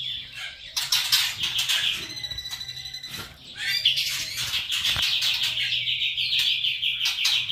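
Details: White-rumped shama singing kretekan trotol: sharp bursts of notes, then a long, even, high rattling trill of rapidly repeated notes that carries through the second half.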